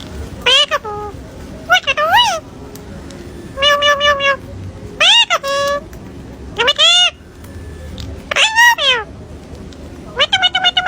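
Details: A pet parrot talking and performing tricks: short bursts of harmonic, voice-like sounds that rise and fall in pitch, some drawn out and some clipped, spaced a second or two apart over a faint room hiss.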